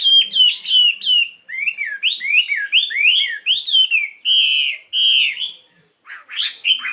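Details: Fighting Chinese hwamei, 72 grams, caged, in morning singing practice with changing voice: loud rolling whistled phrases repeated in quick series, two longer sustained whistles, then sharp clipped notes.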